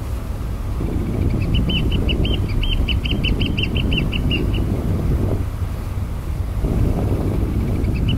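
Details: One of a pair of Australian pied oystercatchers foraging for soldier crabs on the tidal flat at Burnett Heads Boat Harbour, Queensland, gives a quick run of about fifteen shrill, piping notes over three seconds, with a single note near the end, above heavy wind rumble.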